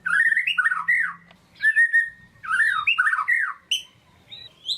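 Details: Caged white-rumped shama singing, used to rouse a lazy bird into song: fluty warbled phrases, wavering and looping, with a held steady whistle between bursts and a few high sharp notes at the end.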